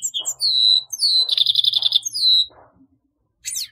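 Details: High, drawn-out whistled notes and a buzzy trill from a grey-headed goldfinch, ending in a brief pause and a final twitter, with faint low background hum.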